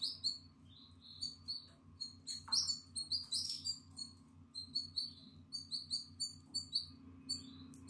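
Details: A nine-day-old Atlantic canary chick, eyes open and feathers coming in, begs for food with rapid, high, thin cheeping notes in short bursts, several a second, over a low steady hum; recorded 14 April 2022.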